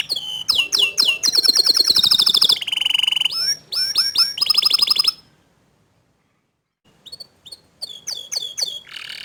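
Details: Young and untrained canaries answer a gacor dor canary with sharp sweeping notes, a high trill and a lower buzzy stretch. A pause of about two seconds follows, then scattered chips and renewed sweeps.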